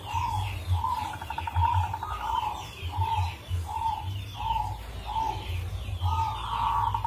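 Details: Local Indonesian zebra dove (perkutut) singing a rare, unusual rhythm used as a lure song. It gives low, soft coos repeated about every 0.6 seconds, with a quick stuttering trill early on. Faint higher chirps from other birds sound in the background.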